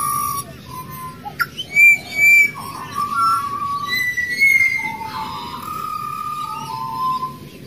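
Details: Australian pied butcherbird, a wild bird and excellent singer, delivering a varied flute-like song: clear whistles, a sharp click, bright high notes and sliding lower tones in a flowing phrase.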